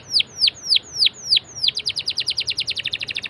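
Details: Canary song played to prompt other canaries to sing: five loud, clear descending whistles at about three per second, running straight into a fast, even rolling trill.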